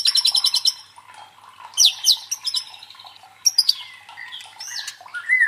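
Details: White-rumped shama singing a provoking song for training fighter birds: opens with a fast, loud rattled trill, then varied whistled slurs and harsh bursts, with short pauses between phrases.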